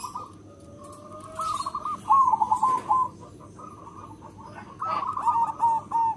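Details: Big-voiced local zebra dove singing often, a lure song for attracting other zebra doves: a faint steady tone first, then clusters of rapid bubbling coos in two main bouts.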